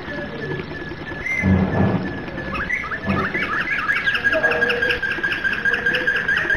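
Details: Domestic canary in flute-style (flawta) song: a long steady whistled tone runs beneath a few loud, rough bursts of noise, then fast repeated chirping notes build and continue to the end.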